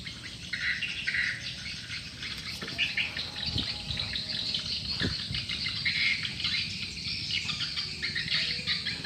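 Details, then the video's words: A crowd of swiftlets in a lure-call recording keeps up a busy stream of high, clicking chirps, with occasional louder twitters and a few dull low knocks in the background. "Suara Burung Walet, Download Suara Panggil Walet"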